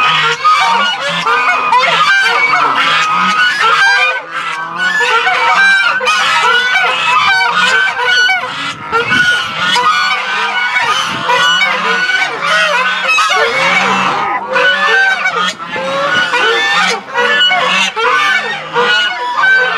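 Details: Domestic Chinese goose flock crowding around at point-blank range in a zoo goose plaza, Tobu Zoo, Japan, April 2021; unbroken chorus of raucous honking and trumpeting from many geese, rising and falling in waves over twenty seconds.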